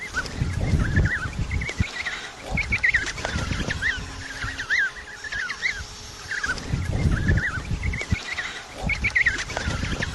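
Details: Several penguins give short, nasal, braying calls in repeated bursts, with a steady low rumble underneath throughout.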